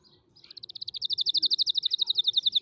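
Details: Canary song used to teach young canaries to sing: a fast, steady trill of bright repeated notes, about ten per second, building in loudness after a soft start.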